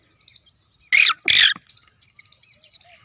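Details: Black francolin chick, three days old, gives two loud rasping squawks close together, followed by a run of shorter, thinner high chirps spaced roughly every quarter second.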